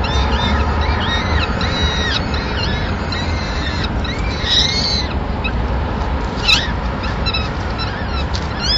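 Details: In Madrid on 26 April 2016, a male peregrine falcon delivers a small bird as the chicks' first breakfast. A cluster of rising-then-falling harmonic calls, then sparser notes, against a constant deep rumble.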